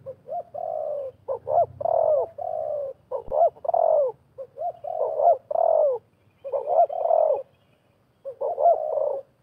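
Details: Spotted doves, wild birds and a decoy dove, sparring and competing at a trapping site, trade soft, mellow cooing phrases, several birds overlapping in short bursts of two or three notes, with a faint low hum beneath.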